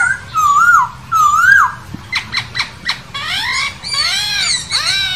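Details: Poksay hongkong, the masked laughingthrush, in its wild habitat: two rising whistled phrases, a string of short clicks, then rich harmonic downslurred calls.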